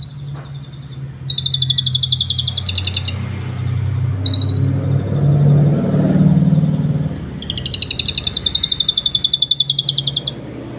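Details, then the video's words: Asian pied starling singing canary imitations in the cililin style, suited as a master tutor for other birds: bursts of rapid, buzzy, high trills lasting one to three seconds, separated by short pauses, over a steady low hum. "jalak suren isian kenari cililin cocok buat masteran"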